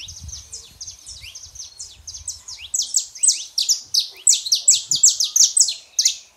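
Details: Saffron finch male and female singing to stir up a quiet canary: quick rhythmic high chirps building into loud rapid bursts, about two to three notes per second, with faint low rumble early on.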